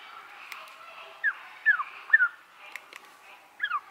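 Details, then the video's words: Captive male and female white-crested laughingthrush pair. Short loud downward-slurred notes come in a quick cluster of about four, then a final pair near the end, over soft background hiss and a few faint clicks. "Häherling singt und zwitschert Vogel Gesang Garrulax Bird Singing Call"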